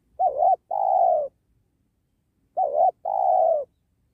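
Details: Tekukur, the spotted dove, cooing at a trapping site beside a sacred tree. Two clear, loud phrases, each a quick wavering coo followed by a sustained, gently falling one, with silence between.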